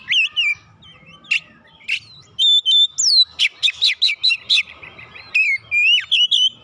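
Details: Oriental magpie-robin singing after prompting, with scattered chips building into a rapid rhythmic run of loud notes, then sweeping whistled slurs.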